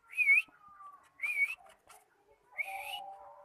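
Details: Cockatiel learning to sing: three short whistled phrases, each a bright wavering note that rises at the end, spaced about a second apart. Steadier, lower whistled tones run beneath and between them in a quiet indoor setting.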